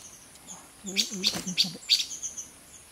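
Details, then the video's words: A silver-eared mesia at Fraser's Hill, Pahang, Malaysia, in 2023, scolding angrily when no food was found, gives a few sharp, high chips in quick bursts, partly overlapped by a man's low voice nearby. "Silver Ear Mesia call sound"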